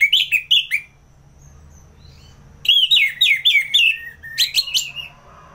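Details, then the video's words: Ngeplong singing by an orange-headed thrush in North Bali, meant to trigger and tutor fighter birds: two loud slurred notes, a quiet pause, then a lively stream of descending whistled phrases and sharp chips. "ANIS MERAH Ngeplong || Masteran & Pancingan Burung Fighter Ngelawan"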